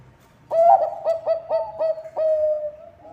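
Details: Zebra dove of the Bangkok type, its song used to draw other birds into singing: one bright opening coo followed by five quick, resonant, low-pitched notes and a final long sustained tone, all clear against a quiet room.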